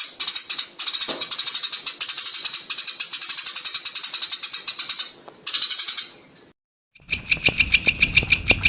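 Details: Brown shrike (Lanius cristatus, cendet) in a tutor recording: a long, loud, high buzzing trill running about five seconds, a shorter burst, a silent pause, then a rapid series of harsh clicking notes.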